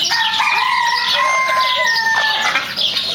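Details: Chicken calling: a drawn-out, slightly wavering harmonic cry held for several seconds, with overlapping squawks and clucks from other fowl behind it.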